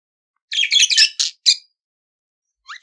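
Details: Budgerigar singing, used for teaching pet budgies to sing: bursts of chattering, warbling notes in quick clusters, then short scratchy chirps after a pause, a faint rising note near the end.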